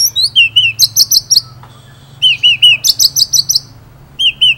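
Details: Murai batu, or white-rumped shama, in full ngerol nembak singing. Looping whistled notes alternate with very high, quick chirps in runs of about a dozen, separated by short quiet gaps.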